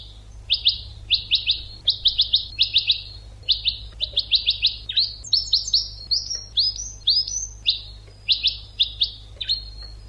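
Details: European goldfinch training song, a fast run of bright chirping twitters in quick succession, some doubled, rising to higher tinkling notes toward the end, low background hum.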